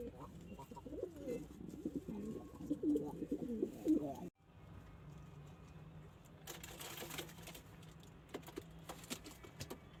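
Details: Several pigeons give low, bubbling, wavering coos that overlap in a continuous murmur for about four seconds. An abrupt cut follows, then quieter background hum and rustling without coos.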